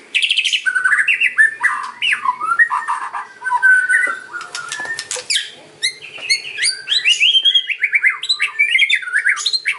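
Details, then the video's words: White-rumped shama song in kretekan and ocean style, used as a lure: busy warbling with falling slurs, rasping rattles and stuttered high notes, building into quick varied phrases toward the end. "KRETEKAN & OCEAN MURAI || MEMANCING BURUNG MURAI APAPUN LANGSUNG NYAUT"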